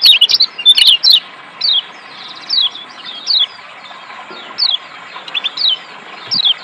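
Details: Lombok white-eye (kecial kuning) played as therapy to make lazy birds sing: short, high, thin whistled notes sliding downward, repeated about once a second, with a brief flurry of quick chirps at the start and a faint steady hiss behind.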